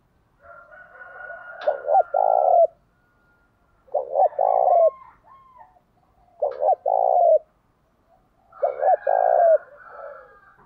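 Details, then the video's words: Spotted dove singing to provoke other doves: four evenly spaced low phrases, each a brief stutter then a long coo, separated by quiet intervals, over faint whistling tones. "Chim cu gáy thúc đấu giọng hay"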